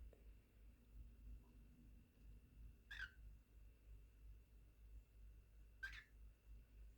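A cockatiel gives two short, sharp chirping calls a few seconds apart over a low indoor hum.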